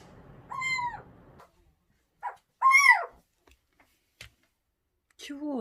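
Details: A captive Little Owl indoors on a hot day gives three loud, mewing calls, each a harsh cat-like wail that rises then falls, a couple of seconds apart, with faint clicks between; the owner wonders if it calls other little owls.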